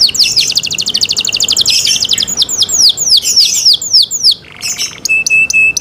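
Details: Canary in cenkok style song, clear and close: dense rapid trilling, a string of falling whistled notes, a rasping buzz, then short high pure tones.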